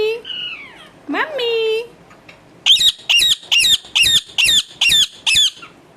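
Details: Harsh squawking from a pet parrot indoors: a woman says 'mummy', then eight evenly spaced grating squawks follow at a steady beat of about two per second.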